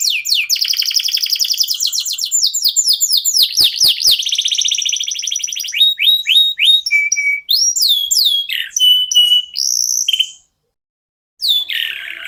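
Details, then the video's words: Local canary pouring out song to coax other songbirds into singing. A long stretch of rapid downslurred notes merges into a rolling trill, followed by varied whistled phrases, a silent gap and a final buzzy note. "KENARI LOKAL GACOR TOTAL, SEMUA IKUTAN BUNYI..PANCINGAN AMPUH BIKIN CEPAT GACOR"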